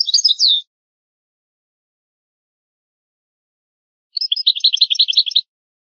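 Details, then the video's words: European goldfinch on a rare old song tape: a short, tangled burst of high notes ending in a sliding tone, then four seconds of silence, then a brisk twittering phrase of rapid clustered chirps. "شريط نادر للغة الحسون الاصلية Chant chardonneret ancien"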